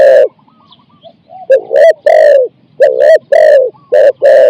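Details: Decoy spotted dove singing the 'khu ang' coo style of 4-5 syllables while luring a wild bird: loud, deep, rounded coos grouped in quick clusters, separated by short near-silent gaps.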